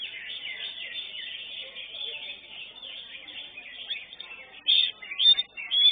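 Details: At a songbird contest, a greater green leafbird places third in its class. A dense, continuous wash of high chattering from many birds is followed by loud, sharp whistled bursts of leafbird song near the end.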